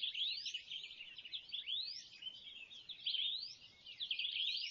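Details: Swallow-tailed bee-eaters in the Kalahari, Botswana, in September 2014, giving a steady run of high, chirruping notes that slide up and down; overlapping calls suggest several birds, with no other clear sounds.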